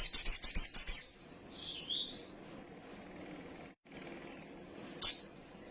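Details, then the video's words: Agitated sunbird in song: a fast, very high shimmering trill, then softer descending and rising slurred whistles, a quiet gap and a sharp high burst near the end. "PANCINGAN BURUNG KOLIBRI SOGOK OTONG BAHAN CEPAT EMOSI BUNYI FULL ISIAN SOGON NGELEPER"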